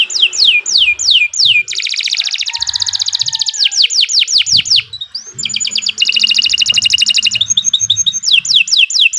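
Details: Canary delivering a long varied song for training other birds: descending whistled notes, a dense rapid trill, a brief pause, then more fast trills and loud downward-slurred whistles.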